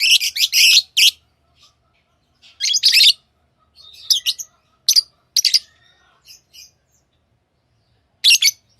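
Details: Hand-fed pet lovebirds giving loud, rasping high chirps in a dense opening burst, followed by spaced single and paired chirps and a final double chirp.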